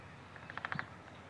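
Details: Male Downy Woodpecker drumming on a metal gutter for attention, Woods Hole, Massachusetts, May 2013: a quick, ringing burst of about six taps in under half a second, tinny resonance, faint background hum.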